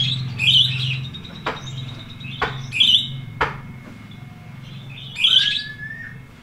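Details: Lovebird ngetik ngekek, a long chattering song style played as a tutor recording for lovebirds that have stopped singing; three short, shrill, scratchy chirp bursts about every two and a half seconds, with sharp knocks and a steady low hum.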